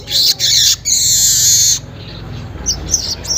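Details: Weaver recorded in Indonesia around 5:40 in the morning, used as a lure sound: loud, harsh, sizzling buzzy bursts in three long runs, followed by softer scattered high chips with quiet background hum.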